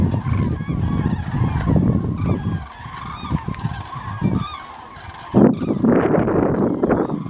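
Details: Flock of common cranes moving south, 9 November 2014, loud overlapping trumpeting calls over the first five seconds, then strong low wind or handling noise dominates.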